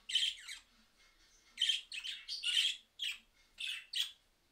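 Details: Budgerigars calling in answer to a recording played from a mobile phone: loud harsh squawky chirps in short clustered bursts, several in quick succession with brief pauses between, in an otherwise quiet setting.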